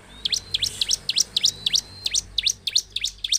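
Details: Energetic bar-winged prinia song aimed at provoking other prinias: quick, rising, paired chirps repeated steadily, about a dozen groups, over a soft, even background hiss.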